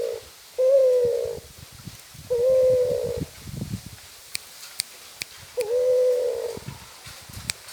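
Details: Spotted dove cooing steadily: a low, hollow, slightly wavering coo held for about a second, repeated three times at two to three second intervals, with clicks and a background hiss.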